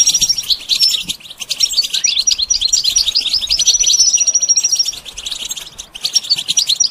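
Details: Goldfinch being trained to sing: rapid, tightly packed twittering with buzzy chirps and a long sustained high whistle near the middle, and a constant busy chatter with brief pauses.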